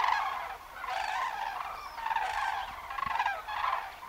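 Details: A wintering flock of common cranes (Grus grus), adults and a brown-headed juvenile, in Alentejo, Portugal (November–February): loud, rolling, trumpeting calls in bursts about every second, several birds overlapping against a steady background hiss.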